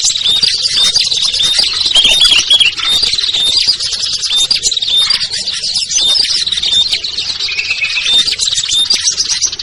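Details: Lure audio of small birds such as ciblek, kutilang, trucuk, sogon and perenjak to draw shy birds down; relentless high chirping overlaid by thin whistled notes repeating regularly, plus a short lower trill late.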